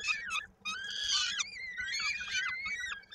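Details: Peregrine falcons at their Koszalin nest in Poland on 16 May 2022, feeding time with a chick's foot caught in a beak: rasping, strained cries that rise and then fall, one long drawn-out wail, over a low background hum.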